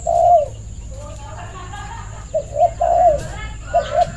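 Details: Spotted dove (bangor) calling to invite others to play: one soft coo, then a quiet stretch with faint chirps, then more low coos in quick pairs. A steady thin high tone runs underneath.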